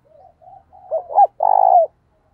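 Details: Decoy spotted dove calling to lure other doves: low, soft coos build into two sharp hoots and a long, purring, vibrating final note.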